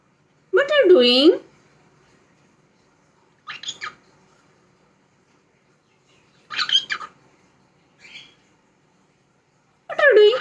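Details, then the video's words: A pet parrot talking indoors: short bursts of mimicked speech with warbling, wavering tones, spaced a few seconds apart, plus a brief softer squawk. "parrot 🦜 talking"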